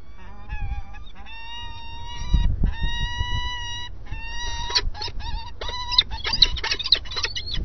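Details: Starling at breakfast giving long, steady harmonic whistles, then a burst of rapid, chattering notes in the second half, over a low background rumble.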